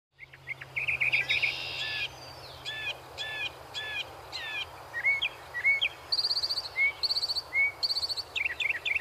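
A Northern mockingbird sings a varied run of phrases: a buzzy trill, slurred notes repeated four times, quick whistles, then harsh high chatters, over a low steady hum.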